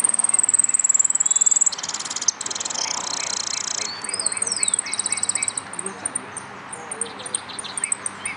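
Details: Saffron finch, called amarillo, competing in a singing contest: a high, thin rapid trill, then dense buzzy bursts and quick chirped notes, with crowd chatter underneath.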